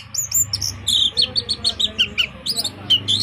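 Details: Caged orange-headed thrush in vigorous song, pouring out a fast series of high whistled notes and short slurred phrases with a steady, pulsing rhythm, against faint low background noise.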